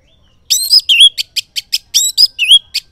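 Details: Orange-headed thrush song in the morning, used as a lure so silent males reply; loud, rich phrases of high whistled slurs and sharp chips, some rising and falling, delivered rapidly in a continuous run over a quiet background.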